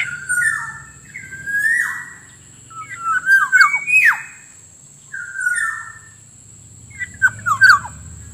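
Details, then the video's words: Black-naped oriole lure sound for attracting wild birds: fluted whistled phrases alternate with short, sharp, descending notes, each burst returning every couple of seconds, over a faint low hum and a steady high-pitched electronic tone. "suara pikat burung kepodang ampuh langsung dapat banyak"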